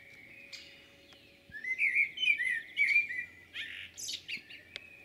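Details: Common blackbird singing on 11 June 2022 at Jūrmala, Latvia: a loud, fluting warbled phrase of rising and falling notes, followed by a higher twittering flourish, over a quiet background hum.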